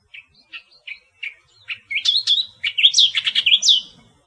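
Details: Australian reed warbler, a wild natural recording: several separate short chips, then a rapid, loud run of mixed squeaky, rising and buzzy notes that builds toward the end.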